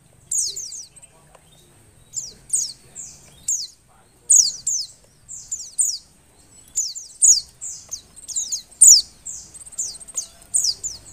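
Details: Oriental white-eye female in breeding condition gives bursts of high, thin, downward-sweeping chirps, two to four per burst, repeated steadily through the recording. The call is meant to prompt reluctant males to sing.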